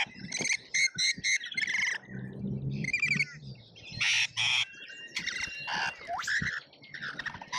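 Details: Lorikeets at an Australian feeder during a feeding frenzy, feeder camera recording: rapid rasping screeches and chattering squawks overlapping, with some low rustling and wing noise between bursts.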